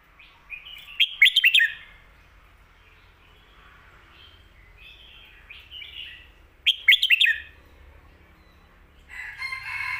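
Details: Two loud bursts of quick, bright chirping notes from a Red-whiskered bulbul in the "phat kuaitiao" and "khayao khuat" styles, meant for teaching birds at home, separated by faint warbling and a short rustle.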